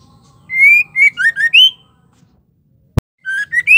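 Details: Female white-rumped shama whose calls are meant to excite male shamas: a run of loud, clear whistles climbing in pitch, a short gap broken by a sharp click, then further rising whistles.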